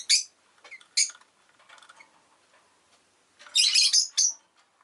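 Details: Rosy-faced lovebird chirping, with street noise mentioned nearby; sharp, high, harsh chirps come in bursts, a lone note, a second note about a second later, then a dense squawky cluster late on, with faint clicks between.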